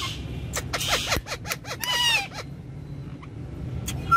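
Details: Pet ringneck parrots playing on a car back seat: a burst of harsh squawks and clicks, then a sliding whistled note and scattered short chirps, over a steady low engine hum.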